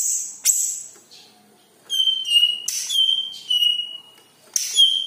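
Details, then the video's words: Yellow-headed greater green leafbird song played as a lure to make other birds sing: clear sustained whistles, some level and some gently falling, broken by rapid harsh chattering bursts, in a quiet setting. "KICAU BURUNG CUCAK IJO KEPALA KUNING, BIKIN BURUNG KAMU GACOR"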